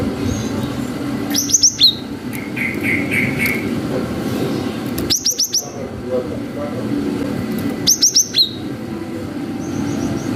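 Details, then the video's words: Cinereous tit (gelatik batu) singing long 'wucit' phrases, used as a lure to stir young birds into responding: three bursts of four or five piercing, high whistled notes about three seconds apart, a softer chirping series between, and constant low rumbling noise. "GELATIK BATU GACOR WUCIT PANJANG"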